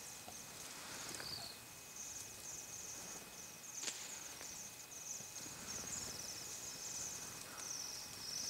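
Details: A flock of Bohemian waxwings in a feeding frenzy gives a steady chorus of very high, thin, buzzy trills that overlap and run on without a break, with a few soft knocks.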